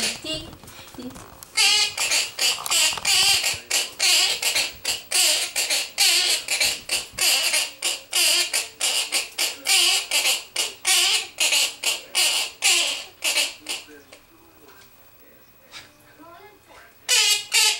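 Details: A pet blue cinnamon Quaker parrot (monk parakeet) singing and dancing to a children's song, chattering in rapid, rhythmic bursts of harsh, high-pitched squawks and speech-like notes.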